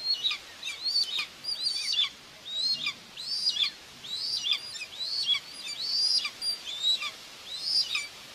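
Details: Common buzzard mother feeding her two young at a live-camera nest in Tiszalök, Hungary, June 2, 2024; a steady run of shrill, sliding whistles, each arching then dropping, repeated roughly every second over faint background hiss.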